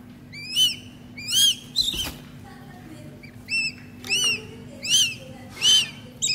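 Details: Hand-fed captive goshawk chick repeats piercing arched whistles, about seven in six seconds, separated by short pauses, with a brief clatter of handling and a soft constant hum underneath.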